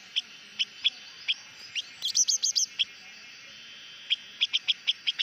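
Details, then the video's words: Hót mồi song of a blue-winged minla, evenly spaced high chirps about every half second, a brief burst of sharper twittering in the middle, then a faster series of repeated chirps. "Chim Khướu Lùn Cánh Xanh hót mồi"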